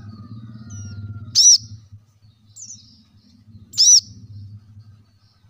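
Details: Plain-throated sunbird, used to draw song from lazy caged birds: a few loud, high, arched chirps and a thin slurred whistle, over a steady low droning hum.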